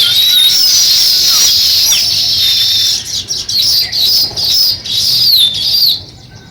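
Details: Sparrow at the start of nest building, with continuous high chirping and short sliding notes, broken into brief bursts toward the end before it goes quiet.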